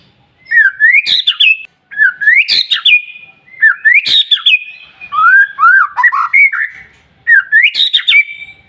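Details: White-rumped shama (murai batu) in full song, played to provoke and rouse other shamas; five separate loud phrases about every one and a half seconds, each a rising slurred whistle ending in sharp high flourishes, with short silences between.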